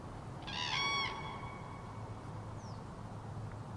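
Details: Resonant trumpeting call of a common crane, autumn 2023: a single rolling bugle lasting about half a second, then low steady rumble with one faint, high, falling whistle from another bird.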